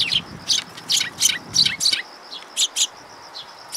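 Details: A busy run of loud, scratchy chirps from sparrows that have come for food at a Japanese bridge on 6 September 2022, about three calls per second at first, then sparser, over a thin steady high hum.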